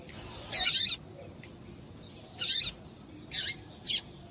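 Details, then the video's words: Female double-collared seedeater, the coleiro tui tui, calling to stir the male to sing: four brief, high, harsh notes, the first longer and buzzier, spread over four seconds against a soft, steady hiss. "Piado de Fêmea de Coleiro Quente para Esquentar Coleiro tui tui"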